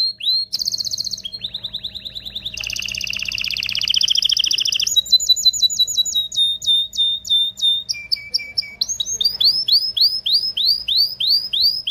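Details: Agitated canary in strong mating song meant to excite females and stimulate males: fast buzzy trills, a dense rapid rattle, clipped high notes, then repeated rising whistled slurs, changing tours every second or two.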